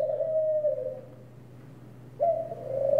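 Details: A Barbary (ring) dove gives low, soft rolling coos, a long drawn note followed after a pause by another, with a faint steady hum in the background.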